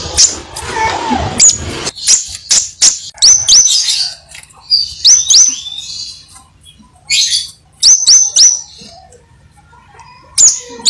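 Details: Crimson sunbird singing vigorously, sharp, very high upslurred notes given singly and in quick pairs or triplets, separated by short pauses, with some scratchy rustling at the start.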